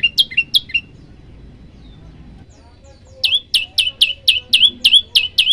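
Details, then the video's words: Prinia song, prenjak lumut, as tutor material: a few upswept chirps, a pause of about two seconds with faint soft notes, then a steady run of rising high chirps about three per second. "tembakan 40 detik sekali napas masteran prenjak lumut"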